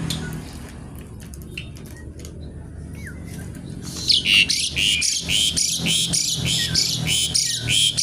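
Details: Javan pied starling in full song: after a quiet start with a single falling whistle, a fast run of loud, harsh, buzzy notes repeats roughly four times a second with short whistled inserts.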